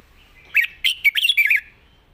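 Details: Red-whiskered bulbul, a promising young singer with light delivery, sings a single clear phrase of five or six fluty, rising and falling chirps in close succession against near silence.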